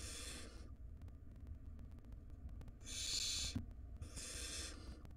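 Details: ['Nestling barn owls, wild, in a nest box while mother delivers food; three breathy, screechy hisses, the middle one loudest, separated by pauses, with low hum and faint clicks.']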